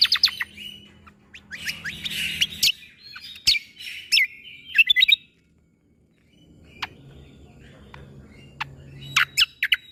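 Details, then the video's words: Leafbird (cucak kombo) 'tembakan' song played as tutor material for young shamas: clustered bursts of sharp chips and slurred whistles, then a brief silent gap, followed by a quieter murmur and a few scattered high, piercing notes. "MAsteran Cucak Kombo Ini Agar Punya Karakter Suara Tembakan"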